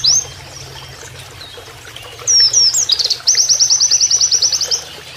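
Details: Oriental white-eye training master with canary-like 'shooting' phrases: a thin high note, a pause, then twisting whistles and a rapid trill of evenly repeated sharp notes over gently running water.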